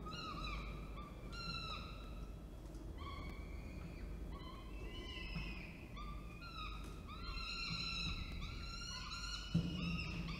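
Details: Orange, New South Wales, 19 October 2024: the male falcon delivers food while the female feeds. A string of harsh, whining, slightly rising calls repeats irregularly, several per second at times, over low rumbling noise.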